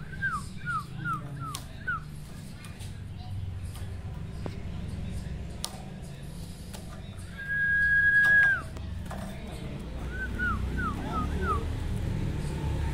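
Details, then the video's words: Male sirtu singing to provoke rivals: repeated short downslurred whistles in quick series, a long steady whistle midway, then more falling notes, with scattered clicks and low background noise. "sirtu gacor bikin emosi lawan"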